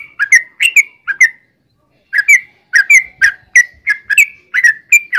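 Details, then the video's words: Short clear whistled notes from a yellow-vented bulbul, sung in loose clusters of two or three with a gap of about a second midway, each note sharp and slightly falling. "trucukan gacor ROPEL PANJANG"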